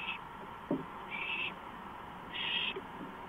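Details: An owl at night on a porch, 2:05 AM, 5 April 2015, gives three soft, rasping hisses, each under half a second long, over a steady background hum.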